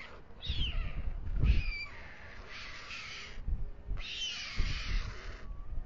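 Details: At dusk, 21:55, a male white stork feeds his two chicks in their nest on the town hall tower in Alcalá de Henares, Spain. Loud rasping, descending wheezes alternate with deep thumping knocks.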